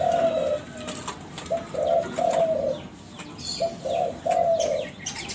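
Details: Young Kelantan spotted dove from a contest-winning line, a lure call to make other doves sing: soft low coos in short groups, about two phrases separated by a gap, over background chirps of other birds.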